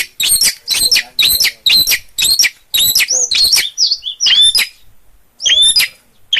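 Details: Long-tailed shrike from Gunungkidul, Yogyakarta, in lively, energetic song: rapid bursts of harsh, scratchy, high-pitched notes, about two per second, then a few looping whistled phrases after a short pause.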